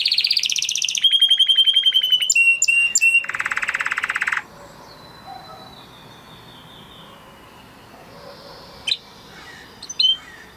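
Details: Huppe Spanish Timbrado canary bred in 2020, singing a training song: high trills, a steady whistled note and a buzzy rattle for four seconds, then near quiet with a few distant chirps.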